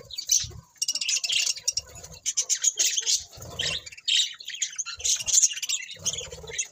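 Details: Pet budgerigars chirping together: dense bursts of high, scratchy warbles and quick chirps, nearly continuous, with soft low thumps between phrases.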